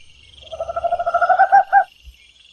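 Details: Tropical Screech-Owl in an urban area of São Miguel do Iguaçu, Paraná, Brazil, sings a soft, purring trill of low hoots that speeds up and swells, closing with two louder, emphatic notes, over a faint high insect hum.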